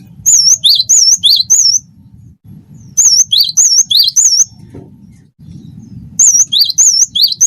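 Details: Loud tutor song of a wingko cinereous tit, used to coax other birds to sing: three bursts of repeated high, looping two-part whistles, each burst of about five notes, with quiet gaps between.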